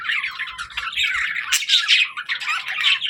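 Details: Happy pet budgerigars chirping while feeding; close, bright scratchy warbling and twittering fills the whole stretch, with squawky accents and almost no other sound.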